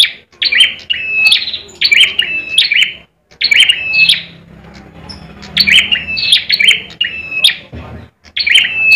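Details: Competition bar-winged prinia, caged in Indonesia, delivering fighting song: two long bouts of rapid high chirp-and-whistle notes separated by a quiet gap with faint low background hum.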